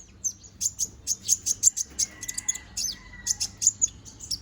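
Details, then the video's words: Konin bird, young and balding while regrowing feathers, singing busily: rapid high-pitched chirps repeated about every fifth of a second, with a faint, thin, level whistle running through the middle. "BURUNG KONIN BOTAK GACORR NGOBRA!"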